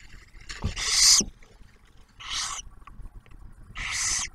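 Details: Barn owls in a nest box near Oak Harbor, Ohio, Ottawa National Wildlife Refuge, as the male brings food and the female feeds a newly hatched owlet; three loud breathy hissing screeches roughly every one and a half seconds, with soft knocks.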